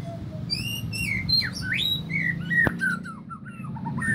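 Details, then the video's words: Agitated white-rumped shama singing a rapid, varied run of whistled phrases that swoop up and down, with slurred upward sweeps, short buzzy notes and one sharp click midway, over low steady hum. "Murai batu mudah emosi"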